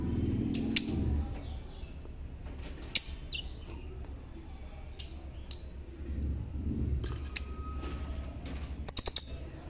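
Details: Lovebirds giving scattered, sharp, very high chirps and squeaks, single or in quick bursts, with a rapid cluster near the end, over a steady low rumble and faint handling noise.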